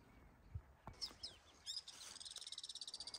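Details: Alpine swift calling above a lake: brief high chips, then from mid-clip a fast, even trill of high pulses rising and falling in volume, running to the end.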